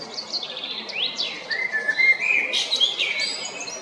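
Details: Male Eurasian blackbird recorded at Jarun, Zagreb, Croatia, 22 April 2021, opening with high thin squeaky notes and upward slurs, then a mellow fluted warble and a sharp twittered ending.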